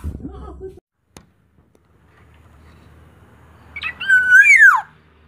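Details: Black-naped oriole singing loudly and thickly: after near silence and a brief low murmur, one strong, clear fluty whistle with a rich overtone swoops up and then slides down, lasting under a second.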